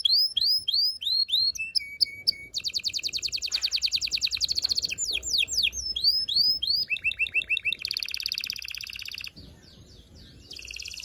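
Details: Continuous canary song for stimulating males and readying females to mate: looping curved notes, fast buzzy trills and rolling repeated phrases in varied sequence, loud and almost without pause.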